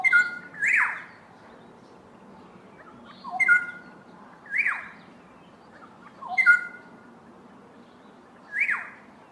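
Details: A pair of Black-headed Orioles sings a duet, clear fluty whistles followed by a quick falling, husky note from the partner, the pattern coming three times at roughly three-second intervals.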